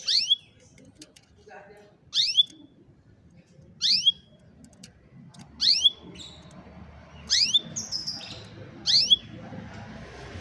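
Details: Cellphone-recorded canary singing for lazy-canary training: sharp rising-then-falling whistled swoops repeated about every two seconds, six in all, with a brief high buzzy note in between and soft background noise.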